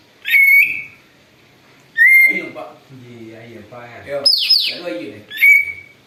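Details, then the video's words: Lure song of a noisy greater green leafbird, claimed to imitate an eagle: three loud held whistles with upswept starts, a high squealing downward slide, and quieter rattling chatter in between. "cucak ijo ribut bisa tirukan suara elang"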